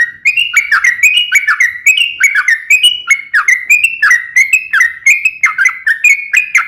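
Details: Fighting song of a sooty-headed bulbul, used to provoke other bulbuls to sing: a steady string of sharp two-part notes, each a high note dropping to a lower one, repeated rapidly and evenly.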